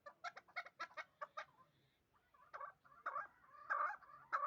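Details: In Dushanbe, a two-year-old hybrid partridge raised for fighting and hunting utters a quick burst of sharp chucks, goes briefly quiet, then gives longer, louder grating notes.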